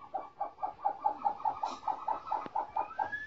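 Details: Trapped snowcocks held captive for a month and a half, now coming into song, deliver a steady string of about thirteen short clucking notes over three seconds, with a faint rising whistle near the end.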